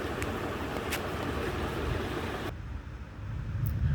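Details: Road traffic roars and then drops to a quieter outdoor hum, and no animal sound can be heard.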